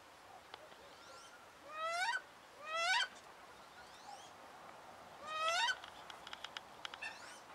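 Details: Female wood duck, angry after being moved to another pond in winter, gives loud rising squealing whistles, each sliding sharply upward. Three calls come about a second apart, with a faint ringing background and soft clicks.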